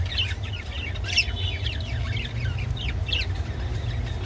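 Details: Rainbow budgerigars, eating kolmi shak (water spinach), chatter in quick, scratchy chirps and warbles that rise and fall without pause, over a steady low hum.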